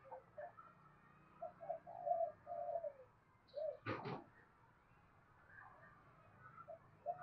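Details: Spotted dove giving soft, low cooing notes in short phrases, a few drawn-out coos near the two-second mark and another pair later, with one sharp knock at four seconds and quiet background hiss.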